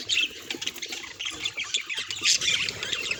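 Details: Budgerigar calls presented as signs of the bird's emotions: a dense, continuous high chatter of scratchy chirps and squawks, busy throughout with no clear pauses.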